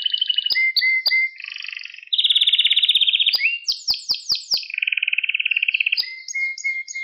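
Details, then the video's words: Pet canary singing a training recording for young canaries: varied tours of rapid buzzy trills, a bright high rolling trill, a series of descending sweeps and clear whistled notes, all continuous and loud. "Süper Kanarya Sesi | Orjinal Kanarya Sesi İle Kuşunuzun Ötüş Eğitimi"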